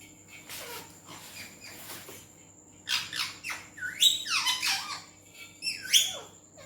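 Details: A pet rose-ringed parakeet (Indian green ringneck), a talking bird said to speak Urdu/Hindi, chatters in a run of harsh, speech-like bursts and shrill downward-sweeping squawks, about four per second toward the end.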